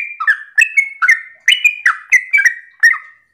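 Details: Sooty-headed bulbul in rapid morning 'ropel' song, played as a lure for other bulbuls. Steady stream of about eight clear, bubbly phrases, each a sharp note sliding into a short whistle, with barely any pause between them.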